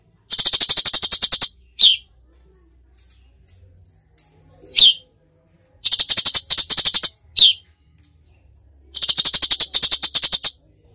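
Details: Full tembakan song of a gacor cucak cungkok, with long buzzy rattles of rapid clicks, isolated sharp chips and quiet pauses between bursts.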